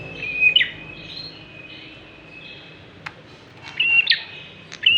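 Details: Bar-winged prinia song for luring other birds: a few separate high phrases, each a steady thin whistle snapping into a quick rising flick, with a faint click in between and long quiet gaps.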